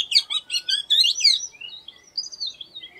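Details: Oriental magpie-robin, known in Bengali as doyel, giving an unusual song: a fast jumble of high chirps and warbled notes for over a second, followed by thinner drawn-out whistles.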